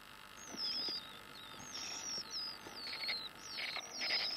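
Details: Ground-nesting Cape Rockjumper nestlings in the days of learning to fledge give thin, high, piping calls, some sliding downward, in quick overlapping bursts every half second or so over a faint steady hum.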